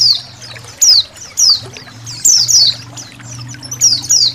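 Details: Indonesian white-eye song for training caged songbirds, with trickling water and a low hum: high, thin falling whistles given in paired bursts separated by short gaps.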